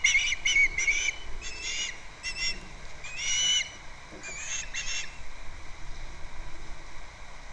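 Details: Nest camera on Captiva, February 2nd: an osprey at its nest makes several clusters of thin whistled chirps in the first half, fading into quiet low background noise.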